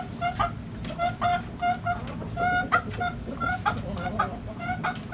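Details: Backyard hens cluck in irregular bursts of short, nasal notes, some clustered in quick pairs and triplets, with a low background rumble throughout.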